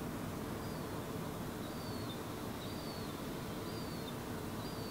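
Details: Fledgling herring gull approaching an adult at a puddle, Helsinki, Finland, in July 2016, giving a regular series of five faint, high, descending whistled notes, roughly one per second, against a constant broadband background roar.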